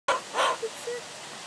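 A cockatoo gives two quick, hoarse, dog-like barks, then two short soft whistled notes, in a quiet room.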